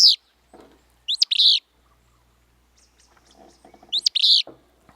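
A Willow Flycatcher gives its sharp, buzzy, sneezy song phrase twice, about three seconds apart; faint speech and clicks sound between.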